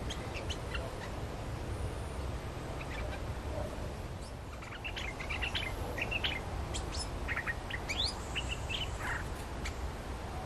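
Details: Streak-eared bulbul lure recording used to draw in a territory-holding bird; short bright chirps and quick rising notes scattered through, clustered in the middle, over steady low rumbling background noise.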